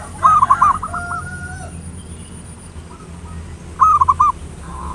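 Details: Zebra dove lure song in the ngayer nulop style, meant to stir other birds into singing: two loud rolling, trilled coo phrases about three seconds apart, fainter cooing between them, and a thin constant high-pitched whine.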